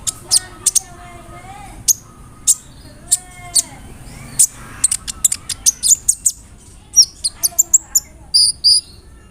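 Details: Sunbird, known locally as kolibri ninja, in a rolling 'nembak' song mixed with imitated calls, used to provoke other birds to sing: sharp very high ticks and squeaks, sparse at first, then quickening into rapid bursts, over faint lower warbled notes.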